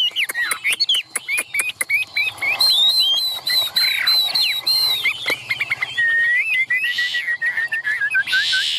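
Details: Caged, tame Chinese hwamei, excited, tail fanned and wings raised, sings loud varied whistled phrases, many repeated slurred notes, ending in a long run of falling whistles, with sharp clicks throughout.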